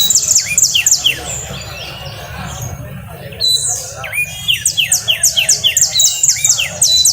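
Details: Coastal canary delivering rapid trilled notes, a pause of quieter sound, then a long fast series of sharp descending chips, with low hum underneath.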